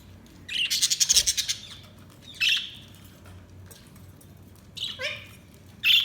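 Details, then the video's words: Budgerigar chirping: a burst of rapid, harsh high chirps at the start, then scattered short squawky notes separated by pauses. "Budgies Sounds| Budgies Chirping sound"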